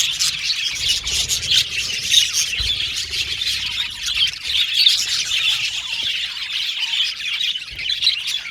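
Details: Aviary colony of budgerigars chirping together, a busy overlapping stream of high twittering and harsh squawky notes, rising and falling in loudness every second or so.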